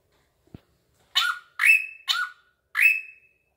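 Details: A drongo, said to grow bolder the closer it is approached, gives four rasping notes that each trail into a pure whistle, alternating lower slurred and higher flat tones, after a faint tap.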